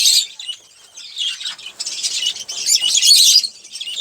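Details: Olive-throated parakeet feeding on sunflower seeds, producing a brief run of rough, grating chatter that swells into a dense buzzy burst toward the end.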